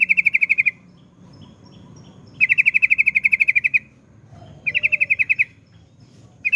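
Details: Trucukan, the yellow-vented bulbul, delivering 'ropel' trills: three fast bursts of sharp, evenly repeated chirps, each under a second long, separated by short quiet gaps.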